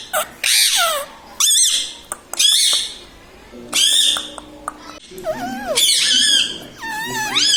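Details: A talking Indian ringneck parakeet, kept at home, voices mummy, papa and radhe radhe. Dense, loud bursts of rasping, harmonic speech-like syllables run almost continuously, rising and falling in pitch, with brief pauses.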